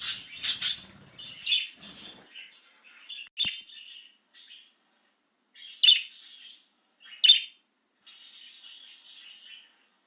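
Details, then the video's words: An excited budgerigar out of its cage opens with loud sharp chirps, then softer scratchy warbling, several single piercing squeaks with gaps between, and a final stretch of rapid chatter. "Make Your Budgie Chirp with This Excited Budgie Out of its Cage!"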